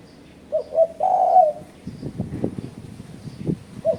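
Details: Spotted dove cooing, played as a lure to provoke rivals: two brief notes and a sustained low coo, then a series of dull knocks and clicks, with the first note of another phrase at the end.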